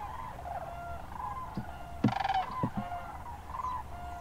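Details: Sandhill cranes wintering in and around the Hiwassee Wildlife Refuge in Birchwood, Tennessee, on January 16: a brief rolling, rattling bugle stands out about halfway through, with softer distant calls of other cranes behind and a low background rumble.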